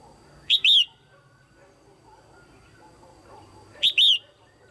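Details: Red-whiskered bulbul female calling to stimulate males or form a pair: two bright two-part phrases, a short rising chip then a longer slurred whistle, repeated after about three seconds over a quiet background.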